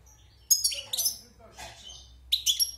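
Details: Wild-caught European goldfinch, caged six months and newly out of moult, giving bursts of high, sharp twittering notes separated by a softer, lower mid-phrase passage and short pauses.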